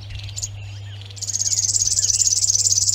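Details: River warbler (Locustella fluviatilis) song at Zvārde, Latvia: a dry, insect-like, rapid steady run of high buzzy pulses starting abruptly after a second, over a low steady hum.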